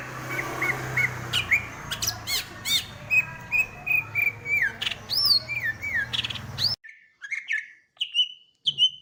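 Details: Greater green leafbird song made of repeated short whistled and slurred notes, roughly one every half second, switching to cleaner, sharper phrases after a sudden drop in background noise near the end.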